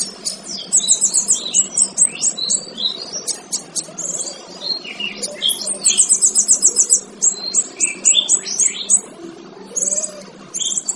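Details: Male kinoy singing for bird training. A long varied sequence of high rapid trills, sharp staccato chips and short lower twittering phrases, repeated in irregular bouts over a steady low hum.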